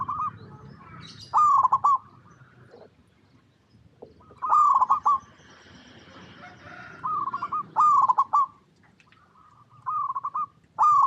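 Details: Local Zebra Dove singing to draw other doves into calling: repeated loud, quickly pulsed coo phrases, several in eleven seconds, separated by quieter murmuring coos and faint background sound.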